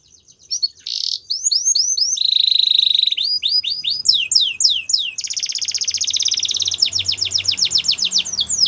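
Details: Belgian canary song mixing buzzy bursts, a low rolling trill, swooping downward notes, and long rapid trills, varied and continuous with a faint low hum behind.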